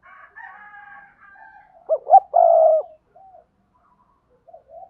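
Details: Spotted dove used as a lure in Đồng Nai, Vietnam, singing its 'double voice' call: faint trailing notes, then two quick low hoots followed by a longer steady coo and soft distant echoes.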